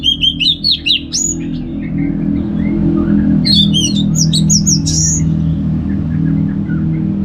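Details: Orange-headed thrush in ngeplong style from North Bali: a quick series of high rising whistled notes at the start, then a second cluster of chirps and sliding whistles over a louder low droning background.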